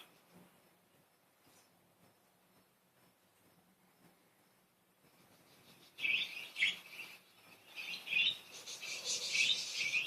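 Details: Pet budgies at play: a quiet room at first, then a burst of busy, high twittering chatter with bright chirps that keeps rising in intensity.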